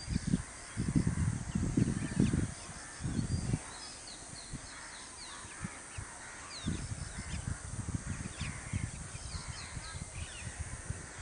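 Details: Asian openbill stork (Anastomus oscitans), a migratory wading bird, at Ranchi Veterinary College gives low, hoarse croaking bursts in two clustered runs, with faint high chirps of small birds in the background.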